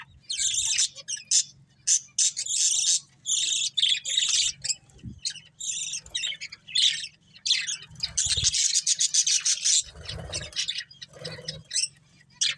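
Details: Breeding pair of budgerigars chattering in rapid scratchy chirps and squawky notes, broken into many short bursts with brief pauses, over a low background hum.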